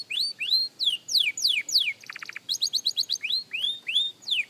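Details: Young canary practising its song: a run of sharp, falling slurred whistles, a brief low buzzy rattle in the middle, then quick high chips and rising-then-falling whistled notes, about three per second.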